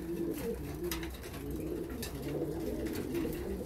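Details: Several pigeons cooing during winter pairing, a steady murmur of deep, rolling, bubbling coos in an enclosed room, with faint background clatter.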